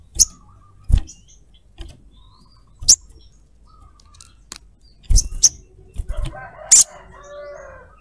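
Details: Female crimson sunbird calling for a male; rapid series of sharp, high, clipped chirps scattered irregularly, with a brief lower twittering phrase near the end.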